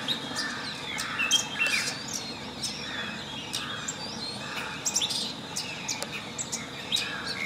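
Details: Singing long-tailed shrike: varied high chirps and brief whistled slurs come in irregular bursts throughout, with soft hiss underneath.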